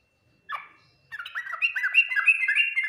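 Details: Song of a yellow-vented bulbul in the Ngriwik Nguplik Tuklik-Tuklik style: one short note, a pause, then a continuous, rising stream of warbled, liquid chirps that grows louder to the end.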